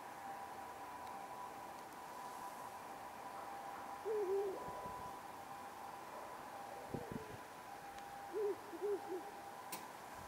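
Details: Ural owl pair at night in town, perched on power lines and antennas, possibly the male feeding the female: soft low wavering hoots, one short phrase and then a broken three-part phrase, over steady hum and distant noise.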